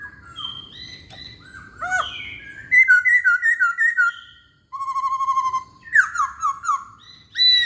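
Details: Masked laughingthrush whistling as a lure, with varied phrases of clear mid-pitched whistles. There is a run of rapid, evenly spaced notes, then a level whistled stretch and further quick warbled phrases.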